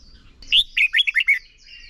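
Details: Contest-style song from a decoy red-whiskered bulbul for training birds: one short lively phrase of about five clear, fluty notes rising and dropping, over quiet background.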